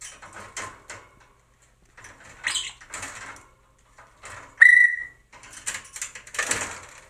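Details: A male white-fronted amazon kept as a pet plays roughly with a male little corella. Recorded 2 February 2022. Amid the clatter of beaks striking, the amazon gives one clear, pure, instrument-like whistle lasting under half a second.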